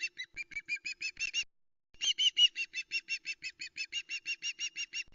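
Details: Loud repeated whistles from a female osprey on her Arkaig Community Forest nest as the male delivers a second fish, 26 August 2020, nest camera: a short series, a gap, then a longer even run of sharp notes.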